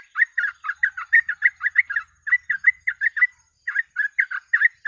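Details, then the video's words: Fast 'ropel' singing from a sooty-headed bulbul, used to stimulate other birds: brisk, clear, slurred chirps in quick runs, with one short pause midway before the rapid notes resume. "TRUCUK GACOR ROPEL MASTERAN PANCINGAN BURUNG TRUCUK"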